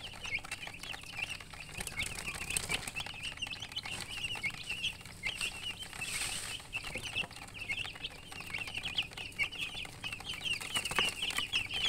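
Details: Chicken chicks chirping in a group: a continuous chorus of soft, high, short peeps with some light rustling and scratching.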